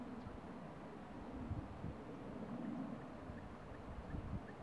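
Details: A steady, quiet low rumble, like a distant engine or vehicle, continues throughout.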